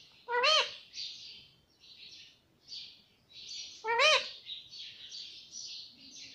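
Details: Pet parrot mimicking the word mummy: two loud harmonic rising-falling calls about three and a half seconds apart, each followed by a run of softer breathy, speech-like syllables.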